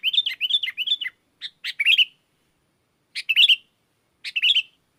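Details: Sooty-headed bulbul in gacor song meant to call wild bulbuls; three quick slurred chirps, then separate bubbly phrases of several notes spaced about a second apart, in a quiet background.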